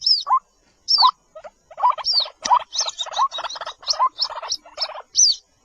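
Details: White-breasted waterhen chick, locally called jal murgi, giving high descending peeps alternating with lower, rising notes, loosely spaced at first, then crowding into a busy run of mixed high and low notes.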